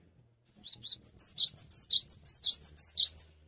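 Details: Cinereous tit singing persistently without hopping: a few soft rising notes build into a steady three-second run of loud, high, V-shaped two-part whistles repeated several times a second.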